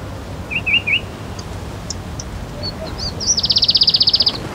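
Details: Palestine sunbird song opening with three quick rising chirps, a pause with scattered faint high notes, then a rapid, regular high-pitched trill of many repeated notes over a low rumbling background.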